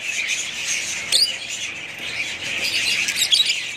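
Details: Budgerigars in a pet family flock keep up a dense, shrill twitter of overlapping chirps, with a loud sharp squawk just after one second.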